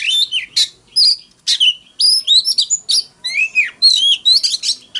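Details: Oriental magpie-robin fighting song: loud, bright phrases of looping whistles, rising and falling slurs and sharp chips, delivered in quick succession with short gaps.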